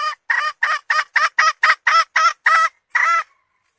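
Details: Steady string of about twelve short, harsh, clucking notes from a hen, roughly four per second, the last one slightly longer and trailing off.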